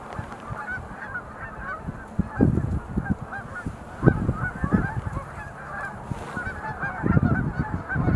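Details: Chorus of many sandhill cranes during display leaps at Montezuma National Wildlife Refuge visitor center, November 2020: steady layered rolling honks, with scattered low thuds of wind or handling noise.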